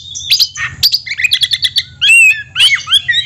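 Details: Caged Oriental magpie-robin singing a varied phrase of whistles, fast chips and a bright descending trill, with a harsh buzzy note at the end.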